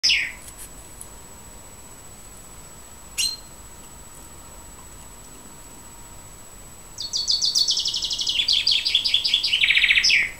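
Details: Common chaffinch singing: after a few scattered chips, a loud descending trill of rapid notes runs about three seconds and ends in a flourish; steady high electrical whine in the background.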